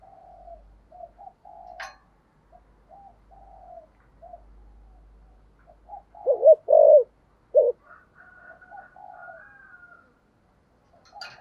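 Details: Decoy spotted dove cooing in the thổ voice style. Soft low coos at the start, then a few loud, deep hooting notes near the middle. Faint higher chirps from other birds follow.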